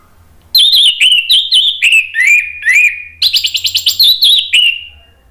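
An orange-headed thrush sings a brisk run of loud, varied whistled phrases, sliding down and up, with a quick buzzy rattle midway over a faint low hum.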